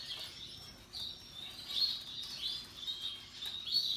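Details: Russian yellow and Timbrado canaries singing happily, heard as quiet, high sweeping whistles and twitters in loose bursts roughly every half second, against a faint low hum.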